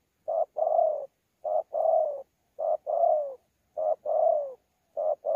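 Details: Spotted dove caught wild at Sa Thầy, recorded 26 November 2019, praised for its cooing: steady series of double coos, a clipped first syllable and a longer rolling second sliding down, five repeats in quiet surroundings.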